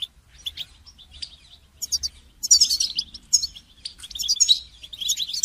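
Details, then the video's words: Goldfinch song used to train songbirds: light twitters early on, then a loud, busy stream of high, tinkling trills and buzzy notes. "goldfinch song training"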